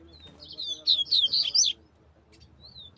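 A double-collared seedeater gives a quick, high, twittering burst of slurred notes lasting about a second, then one thin whistle. A faint low murmur sits underneath.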